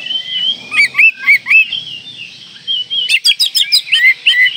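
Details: Oriental magpie-robin in breeding condition, song provoking rivals: several curved whistled notes repeated in a row, a thin steady whistle, then a burst of quick sharp chips and slurred whistles.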